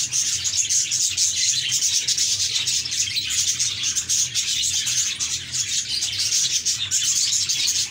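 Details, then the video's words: Continuous budgie chatter of high buzzy warbles and rapid chirps, many birds calling over one another without a break, a soft low hum beneath. "Budgies Chirping"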